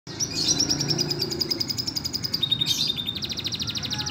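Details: Green canary (kenari ijo) singing a song filled with lovebird phrases: a high, rapid trill of close-spaced notes, briefly rising, then switching to a steady buzzy rattle, over a low background hum.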